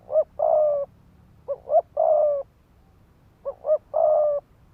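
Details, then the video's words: Decoy spotted dove giving fast 'thúc gù' cooing, used to provoke males to fight: three phrases, each two short rising notes followed by a long, steady, mellow coo, in quiet surroundings. "Tiếng chim cu gáy mồi đất Thúc Gù kích bổi máu chiến."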